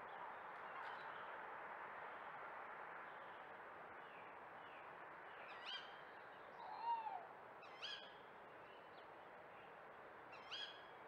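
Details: An owl hoots in a Burton Joyce garden at night on 6 May 2024, caught on a trail camera filming a muntjac deer: a few sharp, harsh calls spaced several seconds apart, one lower, softer note, over steady background hiss.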